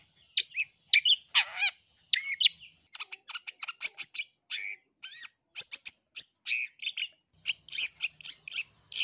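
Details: A long-tailed shrike, played to provoke other shrikes into answering, sings a fast, varied run of high chirps, sharp notes and squeaky rising and falling whistles, with short gaps between phrases.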